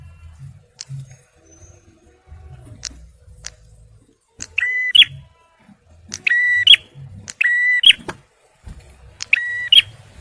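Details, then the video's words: Male bar-winged prinia, kept for luring and prompting stressed birds, starts after a few quiet seconds of scattered clicks, then gives four loud phrases of a flat buzzy tone ending in a bright snap. "TEMBAKAN PRENJAK MERAH JANTAN || CIBLEK SUPER GACOR"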